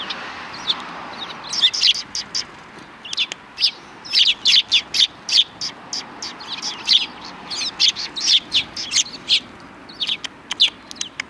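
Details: A flock of sparrows near a Tenmangu shrine in Japan, mid-December 2019, chirping loudly in rapid bursts of clipped, high notes, almost continuous, with little background noise.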